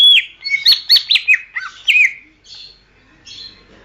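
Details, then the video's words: Greater green leafbird singing a rapid run of whistled, down-slurred notes and sharp chirps for about two seconds, then fading to softer scratchy calls; used as training song for songbirds. "masteran suara burung cucak ijo"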